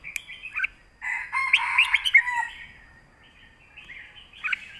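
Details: Caged red-whiskered bulbuls in a song duel in southern master style, trading phrase for phrase: a rich, warbling burst of bright chirps and slurred whistles over about a second, with softer fragments before and after.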